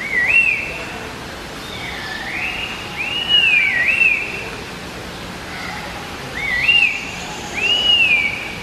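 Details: Red-winged laughingthrushes, native to China and Vietnam, singing to one another: clear whistled phrases that rise and then waver, given in paired bursts separated by short pauses, over a steady background hiss.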